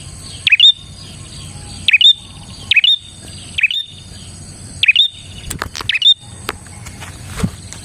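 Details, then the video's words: Bar-winged prinia song used to lure other prinias: five crisp swooping chirps ending in a high thin whistle, about a second apart, then scattered sharp clicks and softer chirps. "suara burung prenjak gacor ini 💯% ampuh untuk pikat prenjak dan pancingan prenjak bahan"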